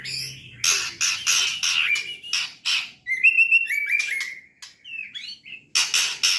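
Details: Trotol singing by a white-rumped shama: loud raspy pulses alternating with thin whistled slurs and quick twittering phrases, the harsh bursts returning at the close.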